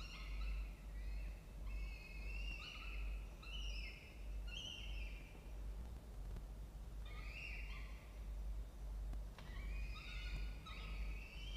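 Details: Peregrine falcon family in a water-tower nest box, Charles Sturt University, Orange, New South Wales, Australia, 07:21 on 16 October 2024; plaintive harmonic wails repeating in groups, a pause midway, then more rising cries, steady low background hum.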